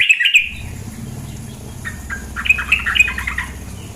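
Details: Female sooty-headed bulbul, played with running water as training audio for other kept bulbuls: a brief burst of bright chirps opens, then a looser cluster of quick, scratchy notes, over a steady low rushing of water.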